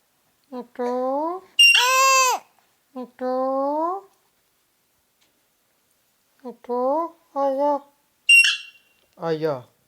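A rose-ringed parakeet mimics speech in short, high, nasal phrases with rising and falling inflection, mixed with a few sharp shrieks and pauses between bursts.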